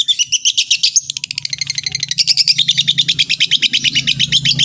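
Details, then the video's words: A long-tailed shrike gives a rapid, even trill of high, dry notes, a few buzzy notes at the start, then a long run of regular pulses. The song is meant to set other shrikes singing; a soft low hum runs underneath. "cendet lain bakal langsung bunyi || masteran cendet"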